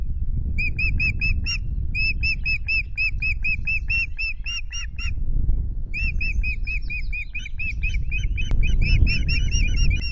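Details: At a Loch Garten nest in Scotland, ospreys changing over on two eggs on 10 May give long, rapid bursts of sharp whistled notes, several per second, broken by a brief pause, with heavy low wind-like rumble throughout.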